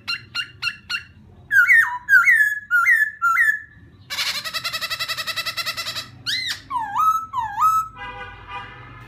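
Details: Provocative laughingthrush song: four quick sharp chirps, then four repeated swooping whistles, a harsh rapid rattling burst lasting about two seconds, more looping whistles and a softer buzzy trill to finish.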